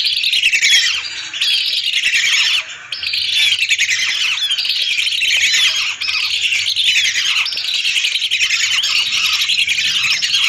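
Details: A lure recording of hundreds of lesser whistling ducks. Dense, high whistling chatter comes in loose surges roughly every second and a half, with brief quieter dips.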